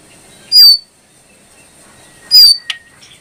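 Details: Two sharp, high-pitched brown prinia notes about two seconds apart, the second followed by a click and a faint level whistle, in a quiet setting.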